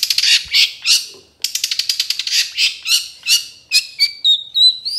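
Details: Long-tailed shrike (cendet trotol) training recording for other birds: dense rapid rattling notes and chatter, then a series of clear thin whistles.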